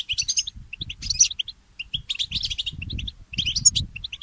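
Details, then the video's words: Morning song of a mule goldfinch: clustered high twittering phrases separated by short pauses, sprinkled with sharp piercing notes, over a low rumble. "The inspiring Motif of the Mule Goldfinch"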